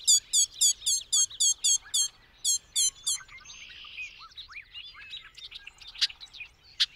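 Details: Bobolink song opening with a loud series of about eleven quick, evenly spaced, ringing bursts, then a softer cascade of slurred, tinkling and twangy notes with a brief buzzy passage.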